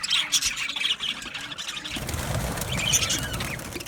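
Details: Male budgerigars in an aviary colony, 8 December 2025: clear high chirps and chatter in the first seconds, then the flock continues beneath a broad low rumbling noise.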